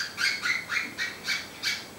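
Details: Budgerigar under veterinary examination for respiratory noise and tail bobbing, giving a quick series of harsh, scratchy squawks, about two or three each second, while a tube is passed down its throat for a crop wash.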